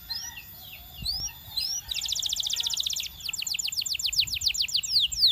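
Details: Song of a Belgian canary, used to attract other canaries: scattered high slurred whistles give way to a dense buzzy trill, then a run of fast repeated swept notes growing louder toward the end.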